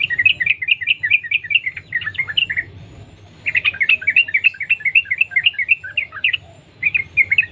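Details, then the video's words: Continuous chattering song of a Yellow-vented Bulbul in the wild, intended to prompt other bulbuls to sing: two long runs of quick bubbly tumbling notes separated by a brief gap, with a short burst at the end. "Trucukan gacor Sambung ropel nguplik alam liar | pancingan trucukan agar bunyi gacor"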